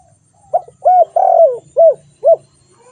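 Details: Spotted dove uttering a single five-note phrase of mellow coos, the long middle note sliding downward, over a faint low hum.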